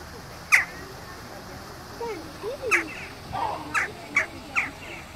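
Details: A noisy western jackdaw gives short, sharp 'tchak' calls, five or six spaced irregularly, with softer low murmuring sounds between them.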